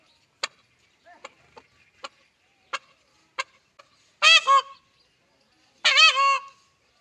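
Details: A peahen looking for a peacock calls twice, each a loud, drawn-out nasal honk about a second and a half apart, after a series of sharp tapping clicks.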